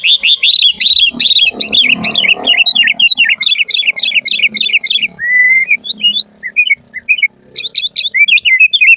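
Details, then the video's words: Sooty-headed bulbul in full isian gacor song, used to call and train kutilang: fast, crowded chirping runs over a low background hum, then a long flat whistle and scattered rising notes. "Suara Burung Kutilang Gacor FULL ISIAN paling masuk buat PANCINGAN MASTERAN semua BURUNG KUTILANG"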